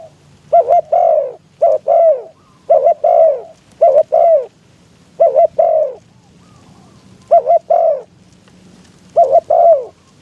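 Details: Spotted dove decoy calling to lure wild doves during trapping in strong wind; phrases of two short clipped coos then a longer falling coo, repeated about every one to two seconds across ten seconds, with a faint low hum underneath.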